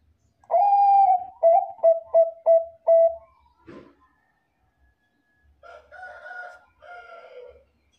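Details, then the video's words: Bangkok-type zebra dove, a lively singer, used as a lure for other doves: a long mellow coo, then four quick, clipped coos. A soft knock follows, then two harsher, lower calls near the end. "PERKUTUT BANGKOK GACOR SUARA AMPUH DIJADIKAN PANCINGAN PERKUTUT BANGKOK LAIN 100% NYAUT"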